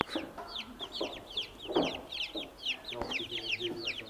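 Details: Newborn chicks peeping constantly, many high, short downward-slurred cheeps overlapping in a dense chorus, with a few soft lower clucks and handling noises beneath.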